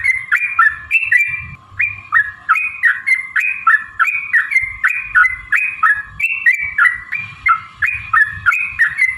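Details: Yellow-vented bulbul giving a long rolling song, used as a lure to provoke singing and fighting: continuous chains of liquid whistled notes in a rising-falling pattern, about three phrases a second, over a faint constant tone.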